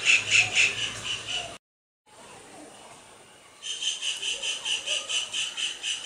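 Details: Kingfisher giving calls with a dance: a few loud shrill notes, a moment of silence, then a quiet gap, before softer rapid repeated notes resume.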